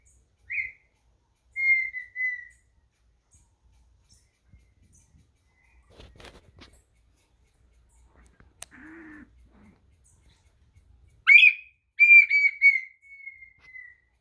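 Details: Red-winged tinamou of Brazil singing in clear whistles: a short high note, a falling whistle, a quiet stretch with faint rustles, then a sharp upswept note followed by a long, steady, gently descending whistle.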